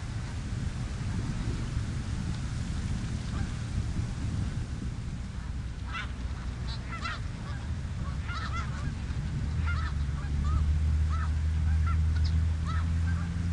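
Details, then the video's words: Snow geese on the Richelieu River. Low rumble at first, then from about six seconds a flock bursts into rapid, overlapping nasal honks, several per second, while the rumble grows louder near the end. "Snow greese on Richelieu r"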